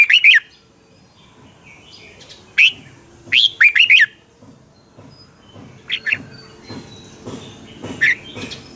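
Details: Red-whiskered bulbul at Pa La-u, Thailand, in double-style song: a loud phrase of four whistled notes and a single note, followed by several fainter, scattered notes.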